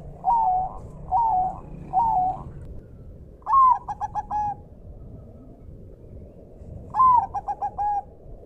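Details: Bangkok zebra dove, a captive training recording: three smooth coos, then a quick staccato run of clipped notes, repeated later, over gentle rushing water and forest ambience.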